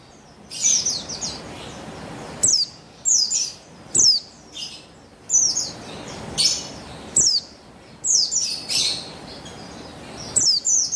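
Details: Over eleven seconds a female buxtoni (Javan white-eye), recorded 3/8/21 to provoke male song, gives repeated bursts of thin, high, falling chirps, about ten phrases with short pauses and faint steady hiss.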